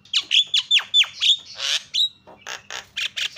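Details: Javan myna, lure call for stirring other mynas: a quick series of sharp, downward-swooping squawks with bright whistled peaks, then a broad harsh screech and several rough, evenly spaced bursts.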